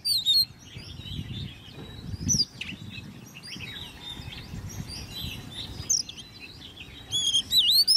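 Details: Ten-month-old Oriental magpie-robin, caged and hand-reared, singing in competition: sharp whistled phrases at the start and end, with a long middle of faint, scattered high notes over steady low noise.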